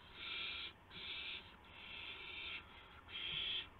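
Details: Owlets at a nest on March 19, 2016, shortly after midnight, while adult owls deliver a gopher and mice; harsh, hissing screeches in four long bursts, each under a second, with brief pauses.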